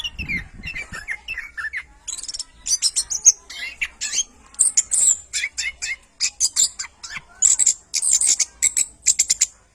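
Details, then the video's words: Energetic orange-headed thrush song for training other birds: a rapid, busy stream of high chattering and twittering notes in dense clusters, with only brief breaks. "MASTERAN SUARA BURUNG ANIS KEMBANG GACOR"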